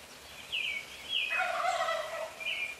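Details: At 4:45 in the morning a nearby wild turkey gives a gurgling, rapid-fire gobble, preceded and followed by sharp descending whistled notes from other birds in the early-morning chorus.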